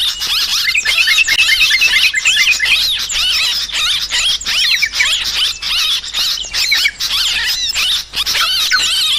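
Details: Yellow-vented bulbuls call noisily in a bird-lure recording. A long, continuous stream of shrill, chattering notes and wavering whistles comes in quick bursts, with many calls overlapping.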